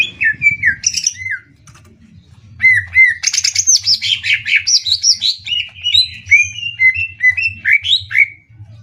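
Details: Contest singing of greater green leafbirds, a Banyuwangi bird against one from Kalimantan, in 'tembak' style. A few falling whistles come first, then a near-silent gap, then a long, fast, varied torrent of twittering, sliding notes.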